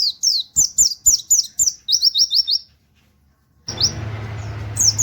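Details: Pleci (white-eye) singing in the 'nembak wit wit kenari' style, suited as a master tutor song: rapid bursts of high, thin, downslurred chirps in quick series, then a short pause and a hiss of background noise.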